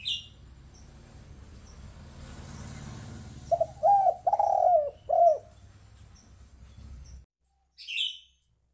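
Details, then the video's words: A spotted dove, played as a lure call for trapping, gives a soft, mellow coo phrase of about four arched notes over a low background rumble, with a brief high chirp at the start and end. "Suara Tekukur"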